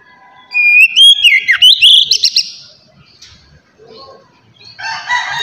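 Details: Oriental magpie-robin song used to stimulate other magpie-robins: one short burst of rich whistles and quick slurred notes, followed by quiet and then faint scratchy noise.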